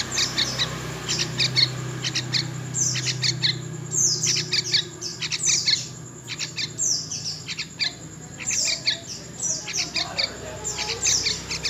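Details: Young wild yellow-vented bulbul giving sharp, high chirps with quick downward-sliding notes in irregular bursts, and a low steady hum underneath.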